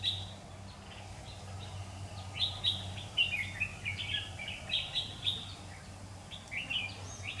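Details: Trapping of red-whiskered bulbuls on 16 September 2019, with a lure bird singing competitively. Crisp whistled notes and short slurred phrases come in quick bursts after a quiet start, over a faint low hum.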